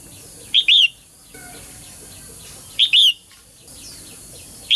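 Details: Bright paired chirps from a female bird calling to spur males into song, heard three times about two seconds apart, each a clipped note then a fuller slurred whistle; soft chattering of other birds in the background.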